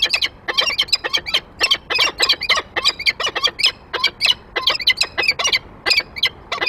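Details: Rapid, overlapping rasping cries from peregrine falcons at a nest grate, 28 February 2023, the male bringing prey and the female close behind; calls come in tight clusters with brief gaps.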